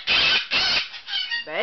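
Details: Pet cockatoo showing off indoors, imitating calling a kitty and talking; loud, raspy screeching bursts come twice, followed by shorter harmonic, voice-like notes, with a person speaking nearby.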